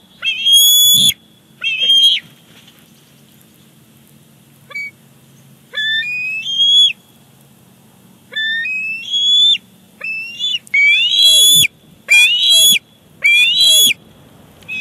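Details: Bald eagles at a Big Bear Lake nest on 18 July 2019, the father bringing a fish for the chick's dinner, which grabs it. High thin whistled calls with rising slurred notes, in short bursts and some longer chittering series, gaps of quiet between.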